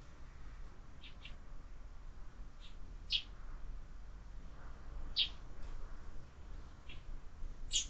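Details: At a window feeder stocked all year, sparrows with an increasing number of fledglings give brief sharp chirps at irregular intervals, a few louder ones standing out over soft background hiss.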